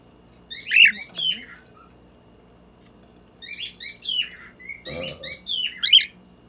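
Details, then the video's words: Pet Lutino red-eye cockatiel in the Philippines singing in the background during dinner: bursts of bright, warbling whistles with rising and falling chirps, two phrases separated by a pause, brief household clatter. "singing in the background"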